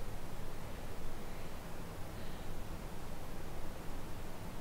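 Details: Steady broadband hiss and rustling static with nothing animal-like heard.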